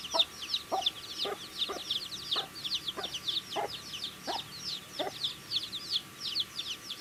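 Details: Baby chickens pecking at food, their bright, high-pitched peeps sliding downward and overlapping constantly, with intermittent tapping of beaks on the feed.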